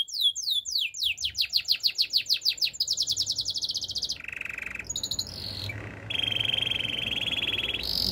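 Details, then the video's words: Singing Gloster canary, recorded for training canaries: rapid rising slurred notes repeated many times, shifting into a fast pulsing trill, then a lower buzzy roll and a long even trill, over a soft low background hum. "Gloster canary singing"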